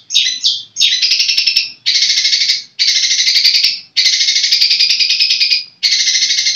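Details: Long-tailed shrike kept as a songbird, giving loud harsh buzzy rasping phrases, each about a second long, repeated almost without pause, five long bursts after a few short sharper notes at the start.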